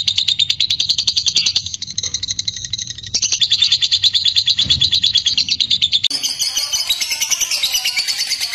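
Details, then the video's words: Lovebird giving a clear ngekek song, used as a lure to prompt other lovebirds into long ngekek: dense, rapid, high buzzy chattering trill, nearly continuous, with brief breaks near three and six seconds, where the tone shifts slightly. "Burung Lovebird Ngekek Jernih Pancingan Buat Lovebird Ngekek Panjang"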